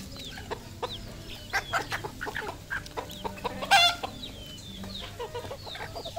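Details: Red junglefowl decoy rooster, domestic-kept, with rapid short clucks scattered throughout, one louder burst near the middle, plus soft twittering of small birds and a constant low background drone.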